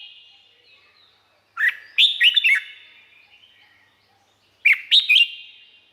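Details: Red-whiskered bulbul (Pycnonotus jocosus) from Thailand singing two short, bubbly phrases of liquid rising and falling whistles, about three seconds apart, with a faint echoing tail; song played to train or excite caged birds.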